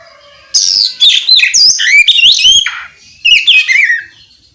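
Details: Oriental magpie-robin singing in the loud, open ngeplong style, meant to provoke other magpie-robins to answer: two rich phrases of rapid, varied whistles, slurs and buzzy notes, high-pitched, separated by a short pause.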